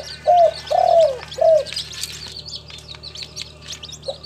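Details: Spotted dove, a local tekukur kept in a collection at a farm in Timika, Papua, giving a three-part coo: short note, longer falling note, short note, low and mellow. Small birds chirp high in the background.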